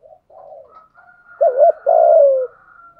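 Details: Cooing of a spotted dove used as a lure for wild doves in rainy, windy weather, voice style 'thổ sấm': soft murmured notes, then a loud wavering double coo followed by a long, gently descending coo, with a faint high whine throughout.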